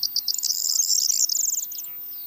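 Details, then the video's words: A singing Corn Bunting of farmland and meadows delivers a brief, high phrase of a few stuttering ticks running into a glittering, jingling trill that fades after about two seconds. "Grauammer mit Gesang – Corn Bunting singing (Emberiza calandra)"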